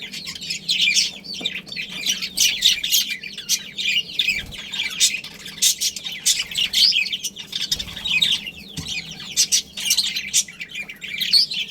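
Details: Budgerigar breeding pair in a budgie family colony; dense, overlapping high chirps and scratchy warbling chatter run almost without pause, with sharper squawk-like notes standing out now and then.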